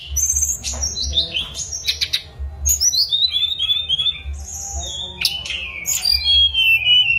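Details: Mangrove blue flycatcher song: cascades of high, descending whistled notes and sweeping slurs over a steady low hum.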